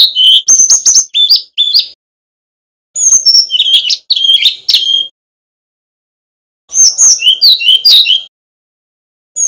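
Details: Male Bali Brown-chested jungle flycatcher used as a training master: three energetic phrases of rapid, high, jumpy chirps and short whistles, each about two seconds, with quiet pauses in between.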